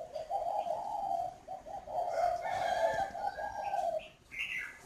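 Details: Spotted dove from a northern Vietnam breeding aviary cooing: low hoarse rolling coos in a steady series of connected phrases, with faint higher chirps of other birds near the end.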